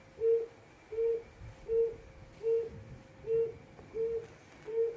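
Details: Hồi công calling of a quail: seven brief, flat, mellow whistled notes at even intervals of about 0.7 seconds, with a low background hum and no other animals heard.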